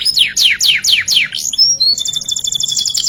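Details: Canary, ngerek-style song: five bold descending whistled sweeps about three per second, two short pure tones, then a very fast high rattling trill.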